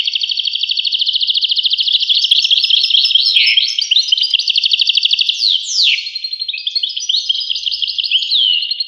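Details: European goldfinch singing a fast, continuous tinkling twitter of high, bright notes, with a few sliding whistles and a downward swoop near the middle; clean, with no other sounds.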